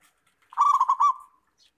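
A zebra dove gives one soft, mellow cooing phrase: a quick stutter of four or five rolling notes that runs into a longer, fading coo. The background is quiet.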